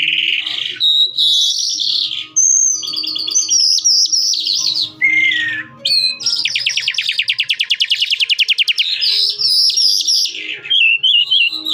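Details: Calandra lark delivering a long rich song of high whistles and chirps, including a fast rattling trill of evenly spaced notes, with a steady faint low hum behind.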